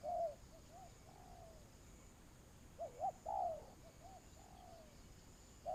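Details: Spotted dove used as a lure in Vietnamese dove trapping, cooing phrases heard near and far, with softer distant coos between louder short notes and drawn-out falling coos.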